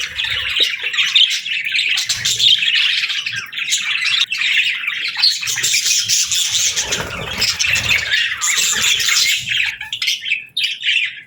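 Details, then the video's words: Budgies in a steady, dense chatter of high chirps and warbling twitters that overlap throughout, with a low rumble in the background. "Budgie Chirping Sounds"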